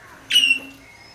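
Princess parrot giving a single short, sharp, high-pitched squawking note that fades quickly, with a quiet background.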